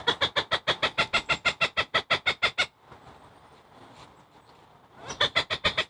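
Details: Agitated Cooper's hawk scolding and harassing a long-eared owl in Chicago on November 5, 2023. It gives a fast run of harsh, evenly spaced kek notes, about seventeen in under three seconds, then a pause and another burst.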